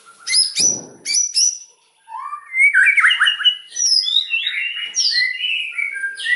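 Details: White-rumped shama in loud 'nembak' song: a few piercing whistled notes, a short pause, then a long stream of rich, varied warbles and sliding whistles delivered rapidly.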